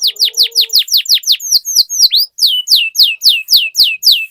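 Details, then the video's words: Canary rolling song used as a lure to get other canaries singing; rhythmic repeated descending whistled notes, about four per second, with a brief low hum at the start. "Suara Pancingan Burung Kenari Agar Cepat Gacor dan Ngerol, Masteran Suara Kenari Ngeroll Panjang"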